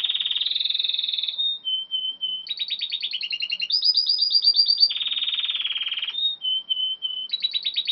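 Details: Timbrado canary singing: long, continuous metallic rolls and buzzing trills held at steady pitch, switching between deeper and higher tours, with brief pure whistled notes between rolls.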